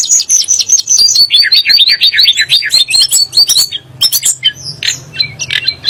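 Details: Sunda blue robin, said to make kacer and muri birds sing angrily, opens with a fast string of repeated downslurred whistles, followed by scattered sharp chips and short notes.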